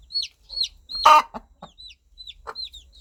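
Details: Mother hen calling her chicks to keep them close: a few scattered low clucks and one louder harsh burst, with thin, descending chick peeps throughout.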